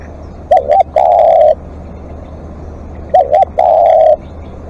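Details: Spotted dove used as a live decoy, calling at length: each phrase is a quick two-part hooked note and then a drawn-out, smooth coo. Two phrases come roughly two and a half seconds apart, against quiet surroundings.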